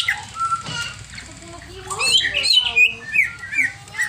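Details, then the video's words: Greater green leafbird in agitated mood, giving scattered whistles and a jumble of twittering, squeaky notes that rise and fall, with some softer lower sounds mixed in. "CIRI CUCAK IJO OVER EMOSI"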